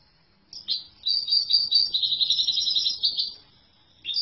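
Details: After a brief silence, a European goldfinch launches into about three seconds of sustained bright twittering with rapid liquid trills. It pauses briefly, then a fresh phrase begins at the end.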